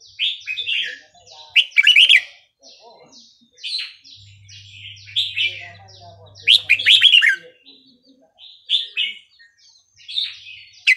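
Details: Red-whiskered bulbul in Burmese-style song (3-4-5-6), used for training young birds: repeated loud clusters of rich, rolling whistles every few seconds, with many lighter chirps from other birds between them.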